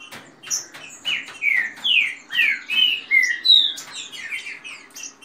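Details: Green-winged saltators kept in dispute, fast rain-style song with female calls: a run of clear downward-sweeping whistles at about two and a half a second, with sharp high clicks scattered through.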